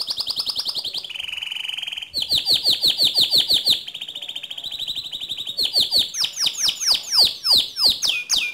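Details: White canary singing a loud, lively song: fast runs of high whistled notes, buzzy rattling trills and rapid downward-sweeping chirps repeated in quick bursts, switching phrases every second or two with no other sounds.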